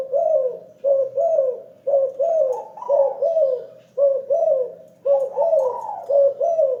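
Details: Spirited spotted dove calling often from a hanging cage, giving low, mellow cooing phrases of several rolling notes, repeated steadily about once a second with brief gaps.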